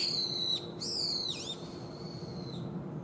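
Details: Young brown-eared bulbuls calling against each other, heard from early spring into summer: shrill, strained high notes that slide downward, one dipping sharply, then a long, steady, drawn-out tone over faint background hiss.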